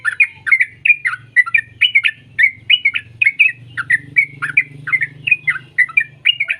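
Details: Sooty-headed bulbul (trucuk) song used to coax young birds into singing: brisk, bubbly chirped notes repeated steadily throughout, over a low humming background.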